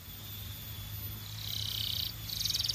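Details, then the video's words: A Belgian canary sings two short bursts of fast, high, rattling trills over a thin steady whine and low hum. "Impossible If Your Canary Does Not Immediately Sing‼️ Belgian Canary"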